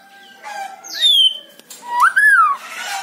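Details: White-rumped shama song, played to coax a caged bird into singing: loud clear whistles, one sliding down, another rising then falling in a smooth arc, with faint softer notes between.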